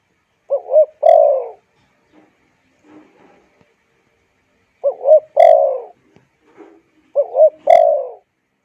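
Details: Spotted dove calling, the call used to rouse wild birds and train decoys: three phrases of a quick double coo plus a prolonged sliding coo, separated by soft faint rustles and low murmurs.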